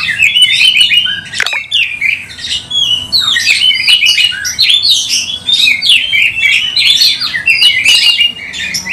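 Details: Loud song of a kept Oriental magpie-robin with its tail open, intended to lure other birds: repeated bursts of mixed whistles, slurs and scratchy notes, delivered in steady waves with short gaps.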